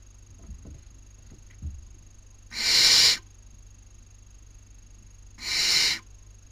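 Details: Barn owl nestlings in Cabañeros National Park, Spain, 2019 breeding season, squabbling over food at the nest. Two harsh, breathy hisses come about three seconds apart, with light rustles and a faint steady whine in the background.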